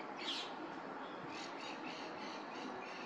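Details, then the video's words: Several chalk-browed mockingbirds in a Uruguayan neighbourhood give warning calls because a Harris's hawk is nearby: a loud, harsh squawk, then fainter rasping notes about every half second, over steady background hiss. "Calandria haciendo su llamado de advertencia"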